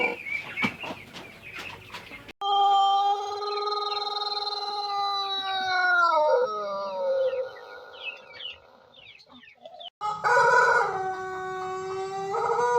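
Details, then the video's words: Crow of a white Pelung chicken after a few seconds of clicking noise: a long, sustained tone that holds, then bends and slides downward. A second loud crow starts after a brief break. "Kompliasi Langka Suara Ayam Pelung Putih Istimewa"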